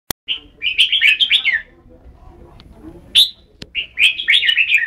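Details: Red-whiskered bulbul singing: two bursts of bright, warbling, chattering notes, each lasting over a second, separated by a short quiet gap with a single sharp note.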